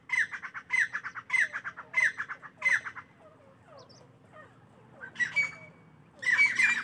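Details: Partridges giving morning calls: a run of five harsh, squawky notes about every half second, a pause with faint chirps, then renewed loud bursts near the end.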